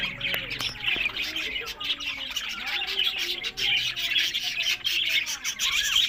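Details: A group of pet budgerigars from Larkana, Sindh produces continuous buzzy warbling and squawks, with a few short lower whistled notes and sharp taps near the start.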